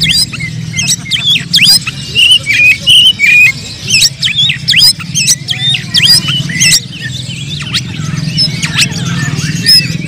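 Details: Fighting oriental magpie-robins sing to stir up emotion. Sharp, repeated whistled notes and quick upward and downward slurs come in short bursts about every second over a constant low drone.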